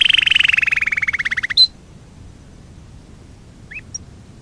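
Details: Canary song recorded for song training: a rapid rolling trill of about twenty notes that slides slowly downward for over a second, then a sharp whistle and a quiet short note before near silence.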